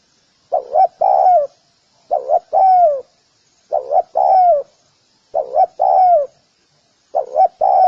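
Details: Spotted dove cooing steadily in a rhythmic series: five phrases, each two short rising notes and a longer falling coo, spaced about every one and a half seconds, with a quiet background.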